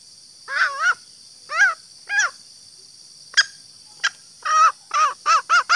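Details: Female green junglefowl call for drawing in males: scattered hoarse clucks and a couple of faint clicks, then a quickening burst of four clucks at the end, over persistent high hiss.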